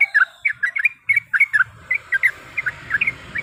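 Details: Yellow-vented bulbul hen calling a male to rouse a rival's anger: short, bubbly, slurred chirps in quick clusters, with a faint low hum rising in the background toward the end.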